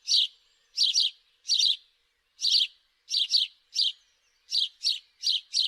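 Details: Loud, clear house sparrow chirps, often in close pairs, coming in irregular bursts with short silent gaps between.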